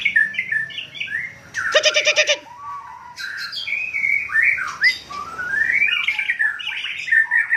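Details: White-rumped shama, known locally as murai Aceh, from Cot Goh, Bireuen, Aceh province, Indonesia, sings varied clear whistled phrases, slurred up and down. It breaks into a harsh, buzzy rattling burst, then resumes with rising whistles.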